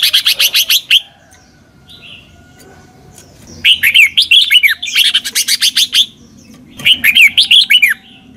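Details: Red-whiskered bulbul from Thailand singing a southern master song in the doubled 'bable' style, played for young birds to copy: bursts of bright whistled, slurred notes with rapid chirps, three phrases about two to three seconds apart.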